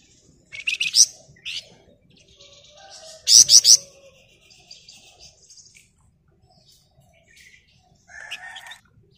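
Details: Dense ngebren singing from a Flamboyan bird, used to provoke others to sing: sharp high chirps open, then a loud triple-pulsed buzzy rattle, followed by scattered soft twitters and a short lower warble near the end.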